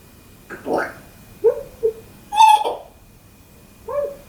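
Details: A male pet African grey parrot, a talker and sound-effect mimic, gives a few short, throaty, speech-like syllables and clicks, spaced irregularly over about four seconds, with a faint steady electrical hum behind.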